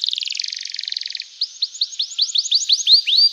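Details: Canary singing to encourage other canaries, a fast buzzy trill followed by a quickening series of about eleven rising whistled slurs.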